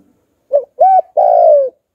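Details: Spotted dove, 'hạp bổi' voice style, calling to lure wild doves: a brief coo, an arched level coo, then a long drawn coo sliding gently down, with the start of the next coo at the end.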